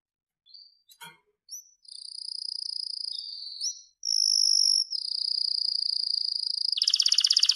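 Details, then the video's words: Captive-bred blorok (pied) white-rumped shama on a clear-voiced masteran training recording: a few scattered chips, then long high sustained whistled notes that shift pitch and end in a harsh rattling buzz. "Masteran Murai Batu Blorok Suara Jernih"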